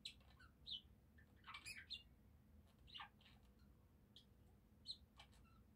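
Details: Budgerigars chattering in scattered bright chirps and short scratchy warbles, a few quick notes at a time with brief pauses, over a low steady hum; warbling song.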